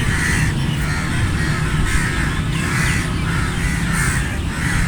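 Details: Flock of crows with rolling, evenly spaced harsh caws roughly every half second, blending into one another over a continuous deep background rumble.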